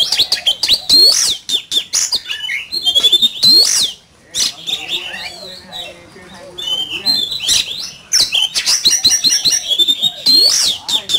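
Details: Oriental magpie-robin in competitive singing, a fine-plumaged bird, delivering loud varied whistled phrases with sliding high notes and harsh chattering notes, pausing midway while a softer low murmur fills the gap.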